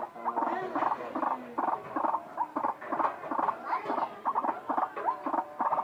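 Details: Odd-sounding white-breasted waterhen call: a steady, pulsing chant of short, hoarse, nasal croaks with occasional rising whoops, delivered in quick, evenly spaced bursts over several seconds.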